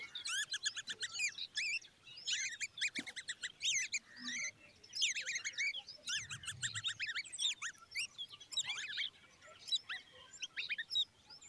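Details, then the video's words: Baby common babblers by their mother give loud clusters of sharp, rapidly repeated squeaky chirps in choruses, with short quiet gaps between the bursts. "Common Babbler babies stand by mother"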